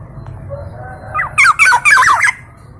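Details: Black-naped oriole from East Java, a local kepodang emas known for many sound variations, gives a quick burst of harsh, buzzy and whistled notes in three clustered bursts over about a second, over low steady hum.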